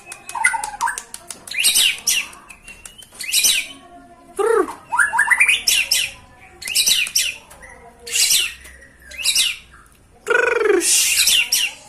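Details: White-rumped shama singing energetically: short phrases separated by gaps of about a second mix harsh chatters, buzzy notes and rich downward-slurred whistles, with a strong swooping note near the end.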